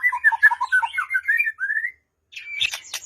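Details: White-rumped shama song played as a lure to prompt a quiet bird to sing, for morning or afternoon use: a run of clear, warbled whistled notes, a rising slur, a short pause, then a harsh noisy burst.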